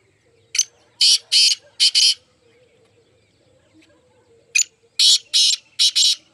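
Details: Black francolin, from a group of four, giving its call twice: each phrase a short sharp note, two long harsh rasping notes and a doubled rasp, separated by a quiet pause with faint low hum.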